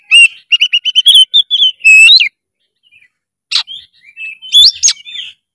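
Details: Kacer (oriental magpie-robin) with a fast series of repeated whistled notes followed by a long slurred whistle, a pause, then sharp harsh notes and soft twitters.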